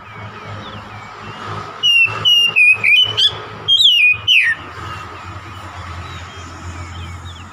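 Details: Rival-provoking song of an oriental magpie-robin: around ten quick whistled notes and slurs, some rising or dropping steeply, set in a steady low rumble of background noise before and after.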